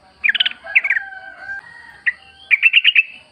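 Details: Sooty-headed bulbul in wild, chatty song, a lure for caged birds: short warbled phrases, a faint drawn-out whistle, then a quick string of chirps.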